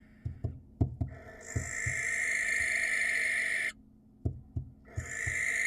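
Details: Wild barn owl at a nest camera in Israel, trying to attract a female: long harsh hissing screeches of about two and a half seconds, broken by a pause, with knocks and thumps from the nest box.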